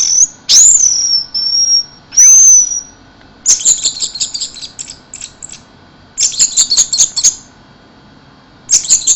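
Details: Orange-headed thrush giving two long, clear, piercing whistles that slide upward then hold, followed by buzzy, scratchy high phrases separated by short pauses, in the fast 'keserr' singing style.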